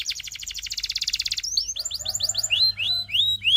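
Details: Canary song for training other canaries: a fast pulsed roll of repeated notes, then a series of rising and falling slurred whistles repeated about twice a second, with a soft low hum.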